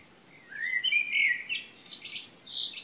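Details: Singing birds in Šilo, Krk island, Croatia, morning of 3 June 2015. A few rising whistled notes lead into a loud, scratchy, fast-chattering phrase that carries to the end.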